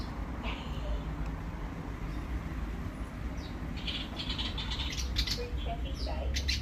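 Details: Australian willie wagtail gives short, bright chirps and quick chattering notes building toward the end, over a steady low rumble like distant traffic, during yucky weather.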